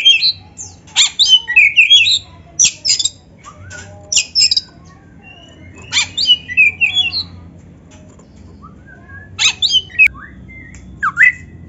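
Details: Black-breasted Oriental magpie-robin giving scattered bursts of harsh, high twittering and chattering notes every few seconds, with quiet gaps and a soft steady hum beneath.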